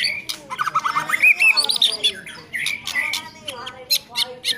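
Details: White-rumped shama song mixing quick whistled slurs with harsh, squawky rasps and crackling notes. Phrases come in short, irregular bursts.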